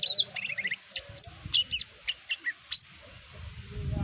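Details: Greater green leafbird singing to get other birds to respond: sharp, high chirps and short whistled trills in quick spaced bursts, ending in quiet before a low rumble rises.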